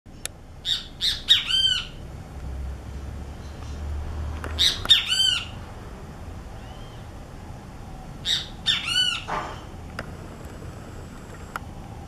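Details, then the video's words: A great kiskadee gives loud, harsh three-part calls in bursts near the start, middle and end, over a faint low hum. "BEM-TE-VI CANTANDO"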